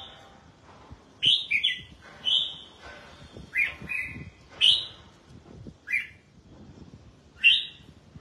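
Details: Caged red-whiskered bulbul out for a bath and sunning, delivering a string of bright whistled phrases, some sliding downward, every second or so, with faint clicks and rustling underneath.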